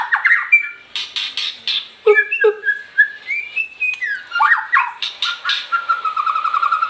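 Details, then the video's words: Varied shama song: sweet whistled slides, quick rattling notes and sharp chips in rapid succession, ending in a steady repeated high trill. "Murai batu seri F"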